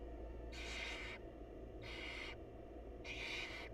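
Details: Wild barn owls at a nest box during a feeding by the mother; three long, raspy hissing screeches, each over half a second, following one another closely over low steady hum.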